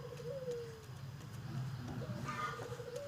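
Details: Puter dove, kept as a home songbird, utters a soft rising-then-falling coo, followed by a short upward note and a level tone, over a low droning background.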